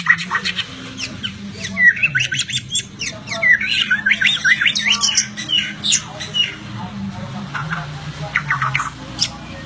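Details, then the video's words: White-rumped shama in full song: a dense stream of scratchy, buzzy chatter mixed with quick whistles, running almost without a break, backed by a low droning hum. "Kicau Mania Burung Murai Batu"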